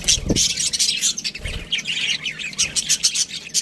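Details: Budgerigars chirping in a continuous, dense chatter of bright, high, scratchy twitters and warbles, with a couple of dull low thumps near the start.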